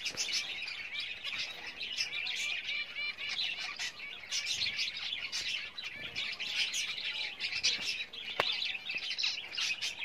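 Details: Java sparrows at nest building for breeding, giving a steady stream of bright overlapping chirps and tinkling notes, busy and unbroken, with one sharp click near the end.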